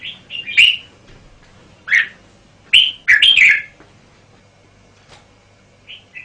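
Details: Red-whiskered bulbul song: clusters of bright whistled and slurred notes, a lower swooping note, then a rich rolling phrase, ending with soft distant whistles.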